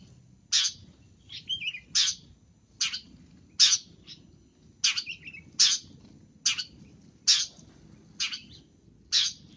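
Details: Long-tailed shrike calls used as a lure: a long series of short harsh scraping rasps, eleven in about ten seconds, interspersed with softer chattering and quick twittered notes.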